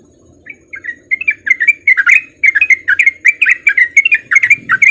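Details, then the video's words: Sooty-headed bulbul, a male in breeding condition, singing a lively ropel-style lure song used to prompt other bulbuls to sing: a fast run of bubbly, chirping notes that starts after a brief quiet and continues densely, with a faint low hum beneath. "Pancingan Trucuk Gacor Biar Trucuk yang Malas Bunyi jadi Ikutan Bunyi"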